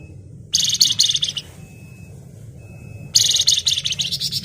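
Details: Flamboyan bird singing busily in the 'ngebren' style, dense and shrill: two bursts of high, harsh, rapidly pulsed chatter, each close to a second long, separated by a quiet gap of about a second and a half.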